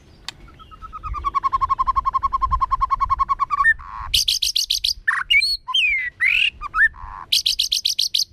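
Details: White-rumped shama forest-voice song: a long rapid run of low repeated notes like a rattle, followed by high buzzy trills and loud looping whistles.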